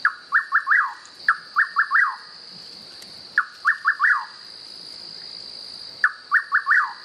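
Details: Rufous Nightjar song heard in the wild, four phrases each made of a clipped opening note and three rapid rising-then-falling whistles, separated by short pauses, over a constant high-pitched insect hum.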